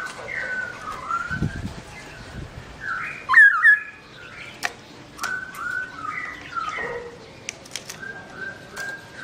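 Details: Black-throated laughingthrush singing while its owner is away: loud, melodious whistled phrases with slurred rising and falling notes, some sharp chirps and a few soft clicks and knocks in between.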